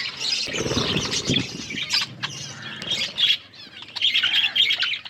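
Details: Feeding flock of budgerigars, a dense wash of high chirps and scratchy warbles, many birds calling at once with brief lulls and faint low rustling beneath.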